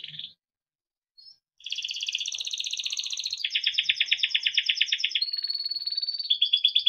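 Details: Timbrado canary performing training song: a brief chirp and pause, then long, even, rolling trills that shift pitch in steps, ending in a high sustained warbling tone.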